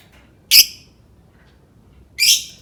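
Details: Lovebird calls used to prompt other lovebirds to sing: two harsh, high, noisy shrieks about a second and a half apart, with quiet gaps between.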